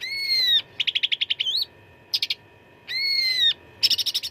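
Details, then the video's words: Cucak ranting (Black-headed Bulbul) fighting song with 'isian' fill for training contest birds: long clear whistled notes, falling slightly, alternating with rapid rattling trills of ten or so notes and short buzzy chips. "CUCAK RANTING GACOR TERBARU 2025 _ SUARA TARUNG FULL ISIAN !!!"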